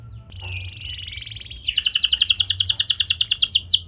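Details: Canary in clear rolling song, played to lure other canaries to sing. A soft, faint buzzy phrase opens, then after a second and a half a loud, very fast high trill takes over and continues to the end.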